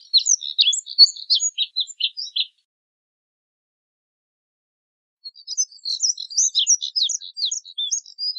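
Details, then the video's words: Moussier's redstart singing two bursts of fast, high twittering warble separated by about three seconds of silence, each phrase a jumble of thin chirps and squeaky notes, nothing else audible. "Colirrojo Diademado Canto! Colirrojo Diademado Llamado! Voz! Sonido!"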